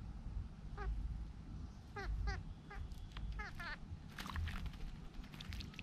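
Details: Large grey babbler bathing, giving a loose series of six or seven nasal, stuttered harmonic calls at uneven intervals, followed by bursts of splashing noise.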